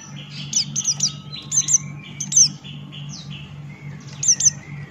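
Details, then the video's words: Lively ngalas-style singing from a Buxton's white-eye: clusters of thin, very high chirps and quick downward-slurred notes recurring about every second, with a faint steady hum beneath. "Burung Pleci Buxtoni Gacor Ngalas Buka Paruh"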